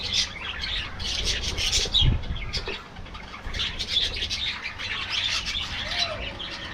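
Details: Aviary budgerigar colony chattering: rapid high twitters and scratchy chirps from many birds, a brief low thump or wing flutter around the middle, and a soft falling whistle near the end.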